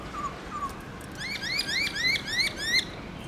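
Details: Black-throated laughingthrush, a kept bird, in varied forest-style song during morning singing: two soft low whistles, then a fast series of about eight rising upswept chirps.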